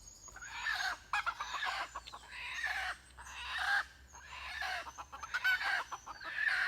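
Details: Red junglefowl at a decoy contest, giving harsh, broken crows in bursts about a second long, repeated several times with short gaps, while thin high bird whistles run faintly above.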